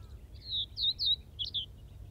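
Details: Common Reed Bunting at Wakka Natural Flower Garden, Hokkaido, Japan, giving a quick series of five high, thin, slightly buzzy notes over about one second, with faint low rumble behind.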